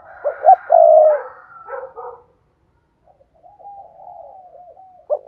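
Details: Spotted dove giving vigorous thúc gù cooing, used for luring wild doves: a short pair of hooted notes swells into a long low coo, and after a quiet gap fainter wavering notes lead to another coo.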